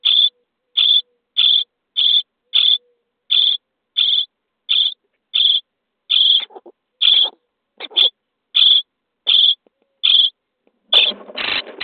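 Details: Common starling chicks begging in a nesting box on day 23 while being fed: a rapid string of short, harsh buzzy notes. The notes grow denser and louder into a noisy burst at the end.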